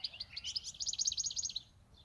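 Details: Pet European goldfinch, eight years with its keeper, singing a rapid, high twittering run of sharp, jingling notes that rises slightly and runs almost two seconds before trailing off.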